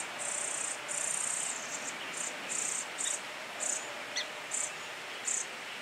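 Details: A Brown-headed Cowbird chick being raised by Song Sparrow foster parents begs for food in very high, buzzy, hissing bursts about twice a second, with a few thin chips between them.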